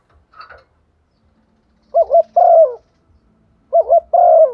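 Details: A female spotted dove's urging coo for decoy birds, repeated twice: each phrase opens with a wavering two-part note and ends in a long, low, downward-sliding coo, after a brief faint chirp at the start.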